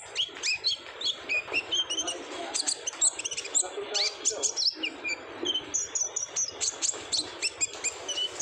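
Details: Lure song of an olive-backed sunbird, 'gacor ngobra' style, meant to make young birds sing often: a dense run of sharp, high-pitched tweets and ticks repeated rapidly for the whole stretch.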